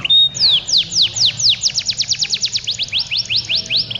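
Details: Male domestic canaries singing continuously in ngedur style at a canary song contest in Pondok Cabe, Indonesia, on 21 February 2016; rapid series of high, downward-sweeping whistled notes repeated about five times a second, with a faint low hum beneath.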